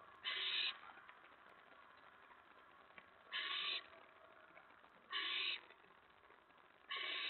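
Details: Owl at the nest, mouse delivery at 4:46 AM, May 15, 2017: four rasping hiss-screeches, each about half a second, repeated irregularly every one and a half to two seconds over soft background noise.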